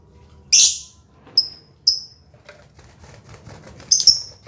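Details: Captive lovebirds, some calling busily while others rest or sit in pairs: sharp high shrieks and short piercing chirps at irregular intervals, with faint background rustling.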